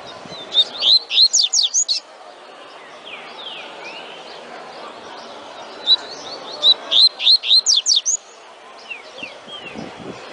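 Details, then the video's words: Double-collared seedeater singing in the tui tui style: two bursts of rapid, high whistled and sweeping notes, each phrase about a second and a half long, separated by softer rising chirps and quiet background. "COLEIRO CANTANDO TUI TUI"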